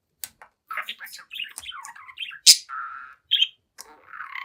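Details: Young pet budgerigar, seven months old, chatting and singing in front of a mirror indoors: quick high twittering notes, short buzzy trills and a sharp squeak, with brief pauses between bursts.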